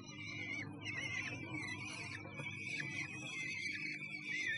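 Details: Kestrel inside a Sussex nest box on 1 June 2011, producing repeated quavering whines in overlapping runs, backed by a fairly loud rumbling, crackling hum from the camera setup.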